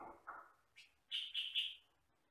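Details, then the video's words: Sooty-headed bulbul, yellow-and-black 'kutilang sutra', in a recording for training other birds: a couple of lower slurred notes, then three loud, sharp high chirps in quick succession. "MASTERAN BURUNG KUTILANG SUTRA"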